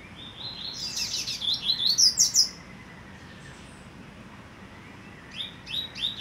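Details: A young captive-raised songbird, reared from the egg and singing like its father, delivers quick high twittering phrases, pauses, then resumes with bright chirps; a waterfall and a sabiá sound in the background.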